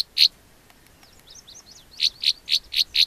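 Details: Two Northern rough-winged swallows on a car door frame by a dirt cliff with nesting cracks, filmed close on a point-and-shoot: one harsh buzzy note, a pause with faint thin twitters, then five rapid buzzy notes in a row.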